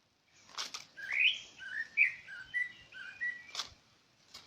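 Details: Bird calling: a series of clear whistled notes, some sliding upward and others level, spaced about half a second apart over a few seconds, with a couple of brief rustling noises.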